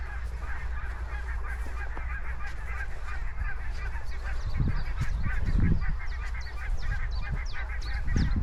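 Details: Geese honking across open grassland, a steady run of nasal, harmonic calls overlapping throughout, with a low rumble of wind and open air beneath and faint higher chirps from other birds.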